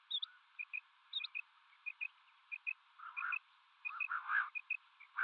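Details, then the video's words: Common quail, male and female mixed calling: a steady run of short high double notes, about one pair per half second, joined toward the end by broader, rougher, louder bursts. The recording is thin and tinny. "Female Batair Calling 2020 | Male Batair Sounds | Mix Calling | Common quail Calling | Quail sounds"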